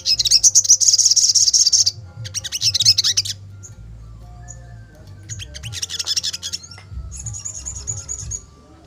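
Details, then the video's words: Wing-drooping sogon in an agitated mood delivers a dense, very high, buzzy trill lasting about two seconds. Choppy chattering bursts follow, then a thin sustained high note near the end, with a steady low hum beneath. "Burung sogon Emosi auto ngleper!!"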